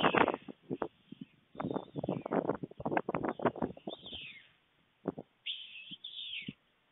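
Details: White stork at a nest camera in Fohrde, Germany, 23 July 2019 at 12:41 PM, an adult bringing food to the nest; dry rapid clattering bursts for about four seconds, then brief squealing sweeps that rise and fall.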